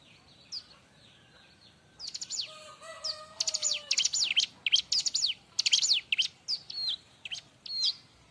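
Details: Lively, noisy Bar-winged prinia song for training and luring young birds: soft high notes, then a busy run of sharp, sweeping chirps, over some low steady whistled tones.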